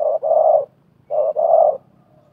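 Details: Spotted dove calling during a wild-versus-decoy contest at a trapping site. Two hoarse, mellow phrases, each a short coo run straight into a longer one, with a gap between them and a quiet background.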